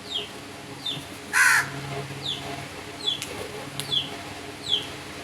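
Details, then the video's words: A single loud, rasping crow caw stands out against a series of thin, downward-sliding chirps from another bird repeated roughly every second. "Crow birds crowing sounds and loud noise"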